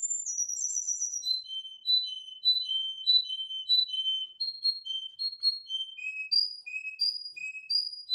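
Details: Canary singing a string of clear whistled notes. It opens with a high rolling phrase, then repeats short pure notes about twice a second, stepping lower, and ends with higher notes again. No other sounds.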